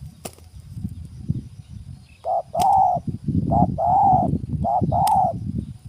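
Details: Spotted dove, with wild forest-bird character, calling in a bird-trapping setting while a new bird is trained: three cooing phrases, each a short note then a longer mellow, level coo, spaced about a second apart over low rumbling background noise.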